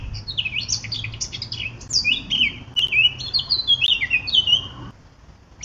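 A Eurasian blackcap sings a rapid, varied warble of clear fluting notes and chattering phrases, running for about five seconds before stopping; faint low background hum.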